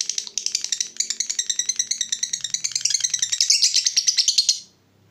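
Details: Lovebird long chatter in the ngekek style: sharp high pulses speeding up and swelling into a bright buzzy trill, then stopping abruptly into silence.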